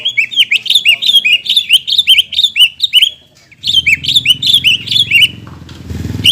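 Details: Lure song of a greater green leafbird for birds coming out of moult: rapid, rolling chattering phrases of bright twisted notes repeated without pause, a short gap, then more chatter over low rumbling noise.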